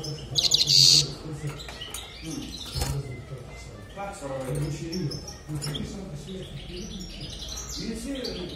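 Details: A European goldfinch gives a bright, tinkling burst of twittering notes, followed by softer chirps mixed with low background voices.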